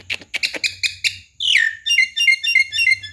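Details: A tame Javan myna, said to talk and to have a full repertoire, gives quick scratchy chirps, a loud falling whistle, then a fast run of short repeated tinny notes.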